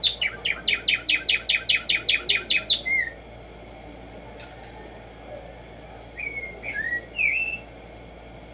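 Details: Black-striped sparrow (Tumba Yegua), singing in nature: a rapid run of about twelve sharp, downslurred notes over nearly three seconds, then short whistled slurs after a pause.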